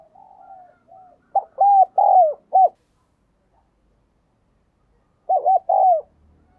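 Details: Spotted dove decoy bird calling to lure wild doves, a four-note cooing phrase of low mellow coos, the third note long and falling, repeated after a pause; faint softer coos precede the first phrase.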